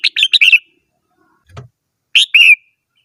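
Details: Red-whiskered bulbul singing two short bursts of bright, chirpy whistled notes, a quick run of four then a pair, with a soft low thump between phrases and silence around them.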